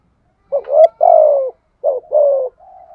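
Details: A decoy spotted dove coos to incite wild doves: a rising short note leading into a long, throaty, falling coo, repeated once after a short gap, ending with a faint steady tone.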